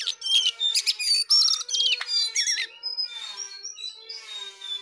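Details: Jongkangan delivering a lively burst of sharp chirps and trilled, wavering notes, then softer scattered high whistles over a steady hum.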